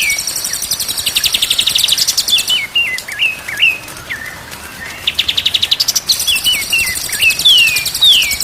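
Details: Training recording of a white-rumped shama singing: loud buzzy trills of rapidly repeated notes broken by wavering, looping whistled phrases, then another trill and a run of falling slurred whistles.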